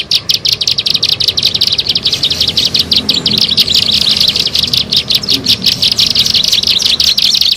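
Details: High, piercing chirps of a bar-winged prinia pour out in quick succession, about three per second, for luring birds, with soft low background murmur.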